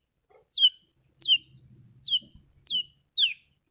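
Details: Long-tailed shrike call used as a lure to prompt a quiet or stressed bird to sing: five sharp, loud notes sweeping steeply downward, spaced about two thirds of a second apart, with a faint low hum beneath.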